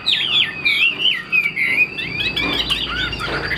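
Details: Chinese hwamei, caged, giving long fluid whistled phrases that swoop up and down, followed by a faster, thinner twittering passage.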